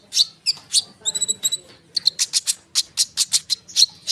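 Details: Energetic konin bird in continuous rolling song, a lure to draw sunbirds: short high chirps, a brief paired whistle, then a fast even series of sharp notes about three per second.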